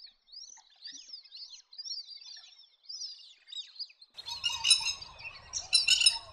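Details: Wandering whistling duck giving a run of high, sliding whistles, about one every second, thin and slurred. Midway a burst of loud broadband rushing and splashing noise takes over with more whistles mixed in.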